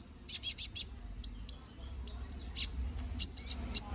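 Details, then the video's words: Gacor ngobra canary song kept as masteran for tutoring magpie-robins: bursts of bright, buzzy high trills alternating with short clipped chirps, lively and irregular, over a faint low hum. "Suara BURUNG KENARI GACOR NGOBRA! Cocok untuk masteran"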